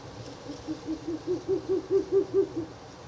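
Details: Ural owl calling near a nest box at night on 16 April 2024, third night of nest visits; a soft, low rapid series of about ten hollow hoots, swelling in loudness and rising slightly, roughly five per second, then fading.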